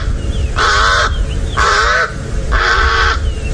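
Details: A crow, described as a pest not meant to be in game reserves, gives three harsh, nasal caws about one per second over a low engine or wind rumble, at sunrise on Aug 28, 2017, in South African Sabi Sand/Kruger area near nervous hyenas.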